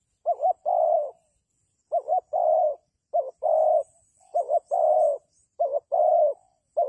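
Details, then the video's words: Decoy spotted dove for trapping wild doves, cooing repeatedly. Each phrase pairs a quick double note with a long, level low coo, about five phrases in a row with short gaps and a faint high hiss. "The Sound Of Dove is very good Trap,Bẫy cu gáy bằng mồi trồn"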